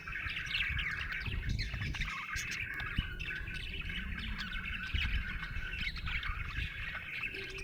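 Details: Happy budgie giving a continuous warbling chatter of quick chirps and scratchy notes, over a steady low rumble in the background.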